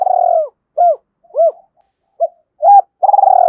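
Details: Decoy spotted dove calling wild birds in the early morning, urging a fight: a rolling drawn-out coo, then several short rounded hoots spaced about half a second apart, ending in another long vibrating coo.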